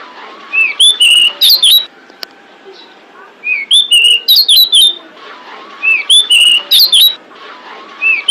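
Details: A female pied bushchat calls for males, repeating the same phrase three times about two seconds apart: a rising whistle, then a cluster of sharp high chirps and slurs.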